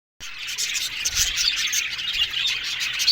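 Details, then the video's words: Australian budgerigars in an aviary colony, dense continuous chatter of many birds with overlapping chirps and warbles after a brief silent start. "One Day Parakeet's Sounds Budgies Love Birds HD Sounds"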